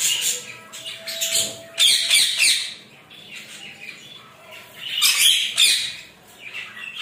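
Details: Rainbow lorikeet bathing in a shower, two loud clusters of harsh screeching squawks separated by quieter chatter, with water spray hissing throughout.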